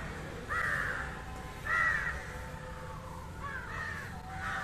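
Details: Harsh caws from an Indian jungle crow feeding on fish: two loud, rasping calls close together, then softer, slurred caws trailing off, against a low hum.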